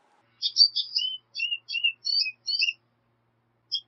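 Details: A black siskin (Spinus atratus) sings a quick, twittering song of high chirps and buzzy trills, several bursts in under three seconds, then one last chirp.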